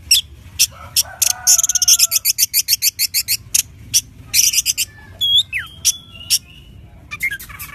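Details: Loud Orange-headed thrush song played to prompt a caged bird to sing: a rapid rattling string of dense chattering notes, then looping whistles and swooping slurs, ending in scratchy chatter.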